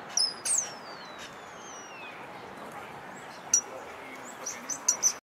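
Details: A common starling at a restaurant, waiting to raid a table, sings a long, thin whistle sliding downward over two seconds, then sharp clicks and brief high squeaky notes over a soft hiss.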